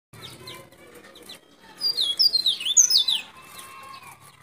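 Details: Local white-breasted white-eye from Baubau, Buton, Sulawesi, a recording used to lure wild white-eyes. A burst of high, sharp, down-slurred chirping notes runs fast for about a second and a half, preceded by faint twittering.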